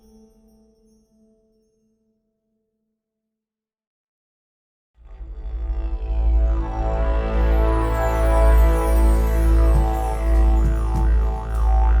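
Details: A faint hum, a few seconds of silence, then a deep droning didgeridoo with swirling overtones; no animal calls are heard.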